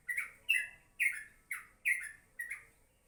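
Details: Yellow-vented bulbul in the morning giving six loud, slurred chirping notes spaced about half a second apart, some doubled or falling at the end, over faint background hiss.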